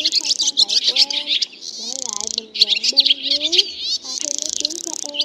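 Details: Swallows, black with white bellies, calling the flock and calling to roost, played for trapping; thick high twittering interspersed with fast buzzy trills, over quieter gliding and level whistled tones.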